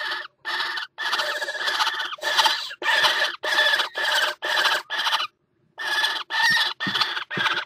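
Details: Northern goshawk pair mating on the nest rim of a water tower, 5 February 2018; series of loud harsh kek-kek cackling bursts, about two per second, with one longer pause.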